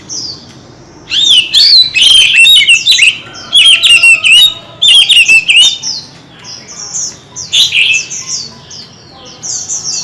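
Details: White-rumped shama in a heated singing contest, using many voices: loud, fast bursts of varied whistles, trills and sharp chattering notes in repeated phrases, with softer high whistles between bursts over low background noise.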